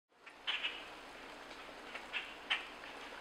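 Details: A juvenile Common Grackle in Quebec gives four short, harsh, scratchy calls in two quick pairs over a steady background hiss.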